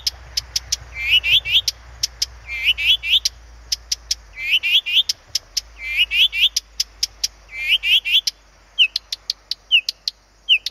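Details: Song of a Blyth's reed warbler from Planta in Podlaskie, Poland, with sharp ticking notes alternating with rapid trilled, buzzy phrases in repeated bursts, ending in a few separate slurred whistles; low background rumble.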